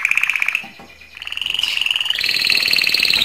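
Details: Canary singing to stimulate females for mating: fast, even trills of rapid notes held near one pitch, a brief quiet break, then a longer trill rising slightly and growing louder toward the end.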